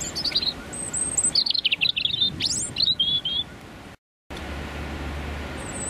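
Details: Male European robin singing his territorial song from 30-60 cm away on a freezing January morning with a biting northerly wind, London rush hour; thin high whistles and rapid warbled twiddles in short phrases, then a brief silence, over a low traffic hum.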